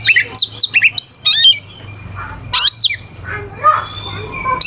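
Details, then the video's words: Oriental magpie-robin singing to provoke rival birds: a rapid series of sharp whistled notes, a loud rising-falling whistle, then softer scattered notes over a steady low hum. "Suara kacer gacor NGEPLAY KONSLET pancingan kacer ampuh bikin lawan ikut EMOSI"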